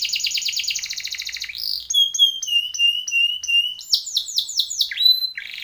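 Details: Timbrado canary singing a training song: a rapid metallic trill, then a long series of repeated whistled sliding notes, followed by quick rolling chirps and a descending note.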